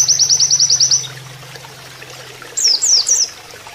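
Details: Canary-style master song of an Oriental white-eye for bird training: one second of rapid high repeated notes, then a pause filled by running water, then three loud looping whistled notes.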